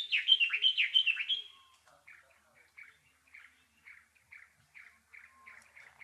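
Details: Bulbul chirping: a vigorous phrase of swooping, slurred chirps, then a series of short, soft chip notes repeated roughly twice per second.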